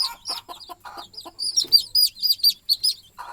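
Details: Hen calling her chicks to sleep at night on the nest; low, rapid clucks open the recording, then loud high chick peeps follow in a quick, uneven series.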